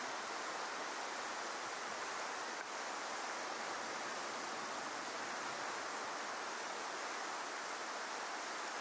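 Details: Dense, even rushing like surf or running water fills the recording, with one brief click and no animal calls.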